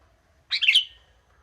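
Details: Wild young sooty-headed bulbul, steady monotone singer in the 'gacor monoton' style: a single quick, lively, warbled chirp phrase, rich and slightly descending, lasting about half a second against near silence.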